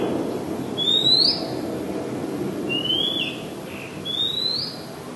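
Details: Oriental magpie-robin song from Ubon Ratchathani, Thailand, 2 July 2022. Three sweet upward-sliding whistles sound about one and a half seconds apart, with a soft low hum of background noise throughout.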